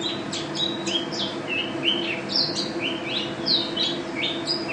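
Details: Mountain white-eye (pleci) of national champion rank singing gacor style: crisp high chirps alternating with bright rising and falling slurred notes at a rapid pace, with a steady background hum.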